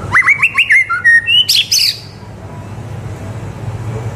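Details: White-rumped shama (murai batu) song for tutoring young birds: a quick series of rising whistled notes climbing in pitch, ending in high sharp phrases, then quiet with low hum.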